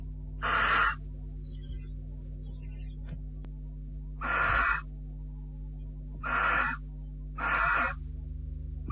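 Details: Barn owls at their nest on 6 July 2013 at 10:30, the male visiting and the female refusing him, filmed by nest camera. Four separate breathy hissing screeches with quiet gaps between, and a low continuous hum.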